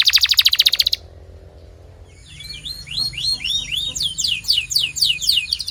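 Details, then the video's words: Training song from a canary: a dense, loud, rapid buzzing roll lasting about a second, a pause, then a quickening series of rising-and-falling whistled sweeps. "This Singing Canary Will Make Yours Sing Instantly!"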